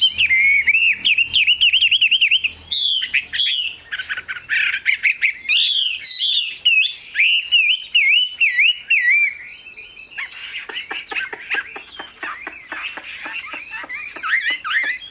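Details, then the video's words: Chinese hwamei, a caged songbird, delivering long rolling whistled warbles that wave up and down, followed by a softer section of quick clipped notes and slurred whistles. "Họa mi siêu phẩm, người dai miên man | Hoạt Họa Mi"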